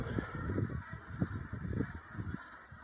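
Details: Brent geese in a large flock on the ground as more birds fly in, migrants from Siberia and Russia; dense low gabbling honks pulsing several times a second under a steady hiss.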